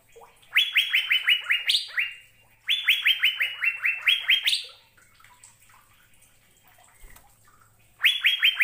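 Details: Melodious song of an Asian fairy-bluebird: three bursts of rapid, evenly spaced short whistles sliding downward, each burst closing with a higher, louder note, with quiet gaps between phrases.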